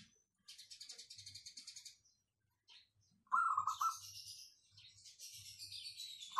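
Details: Local zebra dove, its voice called crystal-clear and dense, kept as a lure bird. One short run of bubbly coo notes, surrounded by loud, fast, high-pitched chattering of other small birds.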